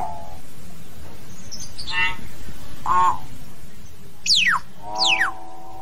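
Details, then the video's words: Common hill myna calling the flock with varied notes: a short buzzy phrase, a ringing harmonic note at three seconds, then two loud whistles each sliding sharply from high to low about a second apart, against a low constant hum. "Tiếng Nhồng hót, tiếng Yểng hót gọi bầy"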